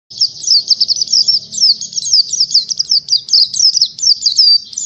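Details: Oriental white-eye (pleci) singing a trigger song, used as learning material for the ngalas style: a fast, unbroken run of high, thin, sharply slurred twittering notes with no pause, in a clean recording.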